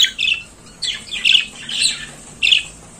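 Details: Budgerigar in the morning giving separate harsh, buzzy chirps, roughly one every half second, over a faint steady hiss.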